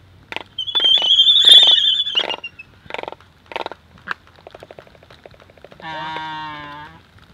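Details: Laysan albatross (mōlī): two birds courtship dancing at close range on the forest floor, Kīlauea Point National Wildlife Refuge, 12 December 2023. Rapid pulsed rattles and clacks, a loud high whistled note, then a drawn-out nasal moan; other birds behind.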